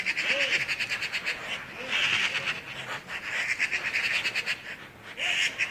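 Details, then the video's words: Birds in Skardu, Baltistan, chattering in a dense chorus: rapid, buzzy notes pulsing several times a second in steady bursts, with short gaps between bursts and a few faint lower chirps beneath. "Beautiful sound of birds in Skardu Baltistan"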